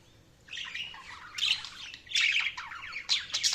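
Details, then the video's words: Budgies chattering in a fast, rough, high-pitched warble that comes in three swelling bursts of scratchy chirps and squeaks over a few seconds. "Budgies Chirping sound"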